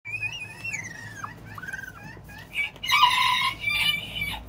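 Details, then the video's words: Broody Serama hen, described as grumpy, sitting on seven eggs on day two of incubation; high squeaky chirps and a sliding whistled note, then a louder harsh, noisy squawk burst near the end, with a low background hum. "Broody Serama Hen"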